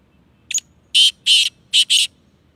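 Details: Black francolin, known as Sindhi kala tetar: a short sharp note followed by four harsh, buzzy, broadband notes in two quick pairs, loud and clear against a quiet background.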